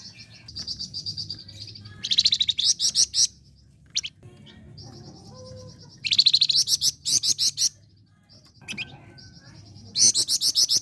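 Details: Flame-breasted flowerpecker in lively, continuous song, used as a lure for training contest songbirds: very high thin sustained notes alternate with loud, rapid staccato trill bursts roughly every four seconds over faint low background hum.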